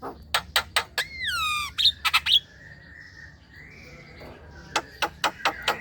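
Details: Black-winged myna, a chattering, lively bird used to lure young mynas into calling: sharp clicks, a loud descending whistle with harsh notes, a level whistle, then more rapid clicks.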